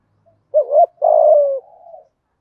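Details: Spotted dove kept as a decoy, cooing at morning to draw wild doves: a bouncing two-note coo then a long mellow coo fading into softer trailing notes.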